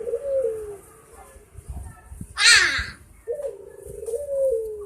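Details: Dove cooing in a low, steady tone, the drawn-out notes dipping slightly, broken by a sharp noisy burst midway, with faint background chatter and an exclamation nearby.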